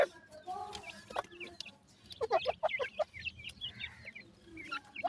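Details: Grey francolin chicks for sale in Multan calling in a bunch: sharp high peeps dropping in pitch, some slightly lower chirps mixed in, over a soft hum and a few handling knocks.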